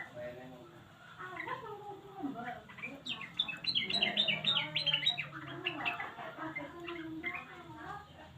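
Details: Yellow-vented bulbul calls used as a lure so quiet bulbuls answer. Busy, bubbly chattering with overlapping notes that swell to a loud burst of rapid chirps midway, then settle into softer warbling.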